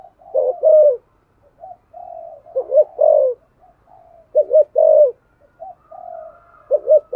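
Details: Thổ-style cooing of a spotted dove, used to stimulate other doves: soft, breathy low murmurs alternate with louder, throaty paired coos, in phrases about two seconds apart.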